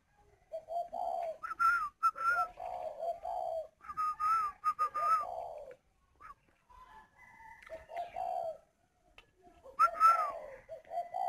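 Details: Caged spotted doves at a bird breeding farm in Ba Vì, Hanoi, Vietnam: short tonal notes repeated in bursts, higher whistled phrases alternating with lower hollow coos, with brief gaps between groups.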